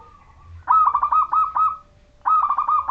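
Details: Zebra dove of the local Majapahit type, singing vigorously as a lure to make other zebra doves sing; clear rolling trilled phrases of rapid warbling notes, one long phrase then a second starting after a short pause, faint low background rumble.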